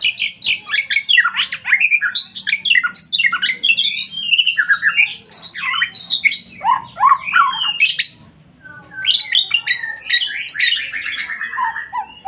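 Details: White-rumped shama singing loudly and continuously, a rich mix of rapid whistles, harsh squawks, trills and sliding notes, with no pause except a short gap near the end.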